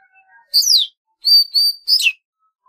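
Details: Golden-fronted leafbird singing: a sharp downslurred whistle, then two steady high whistled notes, ending in a quick falling chirp, all clear against a quiet background.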